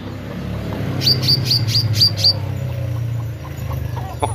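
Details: Actively singing meranti bird giving six evenly spaced, sharp, high chip notes in quick succession, set against a loud low rumbling background noise.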